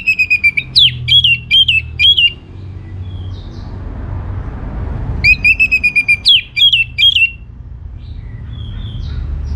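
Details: Orange-headed thrush singing energetically as a lure for answering birds. Quick series of clear, dropping whistled notes in two bursts, several seconds apart, with soft low background noise between.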